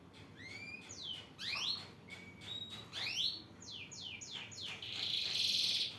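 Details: Male canary calling to a female: separate clear whistles, several sweeping steeply upward and others held level, scattered over a low background hiss, ending in a loud buzzy rattle.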